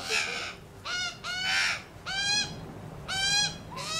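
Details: Australian magpies on a lawn, one dominant bird calling in the family: five harsh, nasal, rich-toned calls over four seconds, each sliding up then down, with a faint low background hum.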